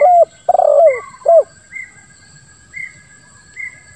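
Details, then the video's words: Cooing of a spotted dove in the 'lambung kuk 1' style with a 'ngeruk' rolled note, used as a lure: a quick three-part phrase with a buzzy downslurred middle, then faint high whistles repeated roughly every second. "Suara Tekukur Terbaru ll Lambung Kuk 1 Suara Ngeruk"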